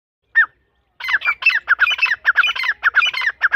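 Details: Grey francolin (dakhni irani teetar) chicks begging while being fed: after one short squawk, a fast run of harsh, chattering squawks follows, repeated roughly twice per second.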